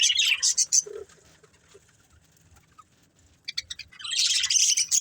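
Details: Budgerigars from a breeding pair giving short bursts of high, scratchy chirps, then a quiet stretch of several seconds before the chatter resumes more densely.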